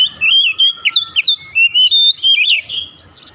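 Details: Oriental magpie-robin song used as a lure to bring a silent bird into song: a rich, varied run of loud whistled and slurred phrases, rapid and irregular, rising and falling, fading out at the end.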